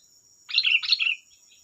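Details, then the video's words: Single rich phrase from a sooty-headed bulbul used to provoke other bulbuls to sing: two linked bursts of bubbly, slurred notes sliding downward, under a second long, with a thin steady high hum behind. "Suara burung Kutilang Gacor || Suara pancingan Kutilang bahan"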